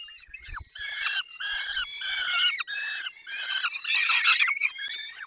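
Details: Peregrine falcon during feeding in the Barycz Valley at 10:22 on 20 May 2021: harsh, squawking calls with stacked harmonics, uttered in quick irregular bursts that run almost without pause.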